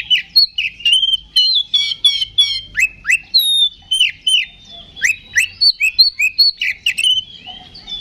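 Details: Loud song of an Oriental magpie-robin, played to rouse other magpie-robins to fight: dense chattering trills give way to a long sequence of sharp downslurred whistles repeated about every third of a second, with faint low background hum.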